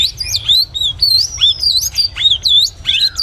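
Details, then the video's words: White-rumped shama singing in the morning: a quick run of clear, high whistled notes that swoop up and down, with short gaps between phrases and some sharp downward-sliding slurs near the end. "Enjoy the sound of the white-rumped shama singing in the morning"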